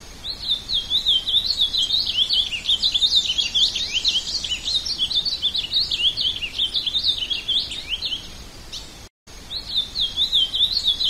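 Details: Ultramarine grosbeak warbling steadily with dense, rapidly modulated high notes, interrupted once by a short silence before the same jumbled whistling continues.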